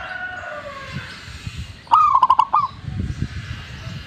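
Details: Actively singing zebra dove giving one crisp phrase of rapid, clipped cooing notes that tumble into a short rolled ending, heard over low rumbling background noise.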